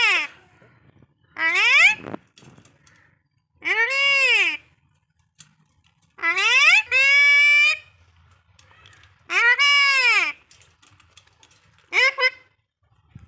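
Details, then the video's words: Talking pet Alexandrine parakeet (hill chandana) in a quarrelsome mood gives six loud, harsh, rising-and-falling squawks and word-like shouts, each about a second long, in a small room. "ঝগড়ুটে কথা বলা টিয়া পাখি#কথা বলা পাহাড়ি চন্দনা"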